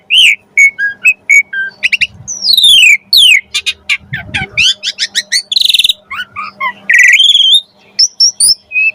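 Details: Asian pied starling in rich, busy song full of varied phrases, used to lure caged starlings into singing: fast chips, swooping whistles, harsh buzzy bursts and rattling trills tumble over each other almost without pause, with a faint low hum beneath.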